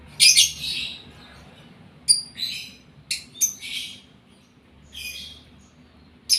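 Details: Lovebird in breeding condition makes scattered harsh, high squawks and brief chirps separated by short silences.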